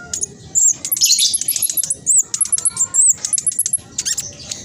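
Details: Speckled black sunbird singing a fast, tight chattering song, used to prompt idle birds to sing: very high, thin notes packed in rapid bursts, with sharp rising and falling squeaks and quick ticking notes running almost without a break.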